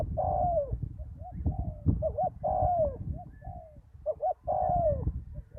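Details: Decoy spotted dove at a ground-level lure site after a storm, with a deep-voiced wild bird: three long falling coos, each preceded by short wavering double hoots, over persistent low-frequency rumble.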